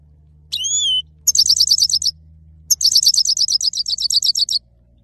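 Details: Male saira goldfinch singing: a drawn-out wheezy note, then rapid rattling trills of repeated twittering chirps, two bursts separated by a short pause.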